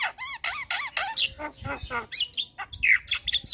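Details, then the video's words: Javan myna in varied training and lure song: a string of wavering, nasal squawky notes repeated about every quarter second, then rougher calls and high whistles. "JAlak kebo GAcor Full Isian Masteran Jalak Kebo - PAncingan Semua Jenis Jalak"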